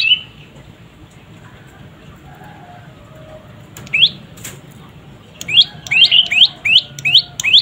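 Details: After a quiet stretch, a young prinia, locally prenjak lumut, bursts into rapid, sharp, high upslurred chirps, several per second, with a faint flutter of wing noise between them.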